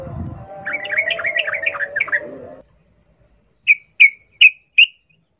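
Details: Sooty-headed bulbul singing in wild forest 'ngalas ropel' fashion, a lure for captive birds: a busy warbling chatter for about two seconds, silence, then four crisp separate chirps.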